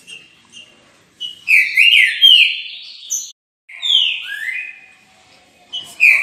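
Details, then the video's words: Song of a green-winged saltator, meant to provoke another saltator to sing: clear, full whistled phrases with swooping rises and falls, two strong bursts separated by a short gap, and a fresh phrase starting at the end, with a quiet background. "11 min para atiçar seu trinca"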